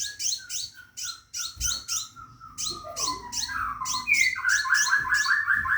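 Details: Caged scarlet minivet calling to attract a female for mating: rapid series of short, high chirped notes repeated about four times a second, with a lower whistled trill and warbling phrases underneath, mixing in toward the end.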